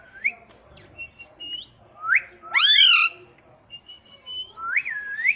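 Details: Pet parrot, said to talk in Hindi saying mummy: rising whistled notes and short flat whistles around a loud, harsh, arched squawk, ending with two upswept whistles.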